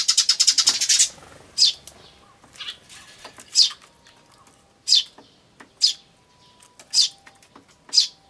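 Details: Eurasian tree sparrow family, adults and chicks, filmed 10 May 2013 with an ivis camera. Opens with a fast rattling burst, then single high chirps about once a second.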